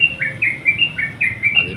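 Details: Calling to a rival, a lively sooty-headed bulbul gives rapid, clear chirping notes, each a short bright whistle dipping slightly, about four per second, over a faint low hum.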